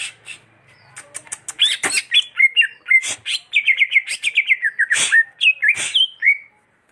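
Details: Greater green leafbird in a long, varied song: sharp clicks and scratchy notes open into a fast chain of slurred whistles, dipping and rising, broken by harsh buzzy bursts and ending on a falling whistle.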